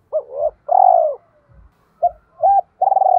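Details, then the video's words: Decoy spotted dove, 'thổ bầu' voice style, calling to provoke wild doves. Low coos in quick phrases: a short note and a long throbbing coo, then two clipped notes leading into another pulsing coo. "Chim Cu Mồi Hót Hay, chim cu gáy kích bổi nhạy gáy"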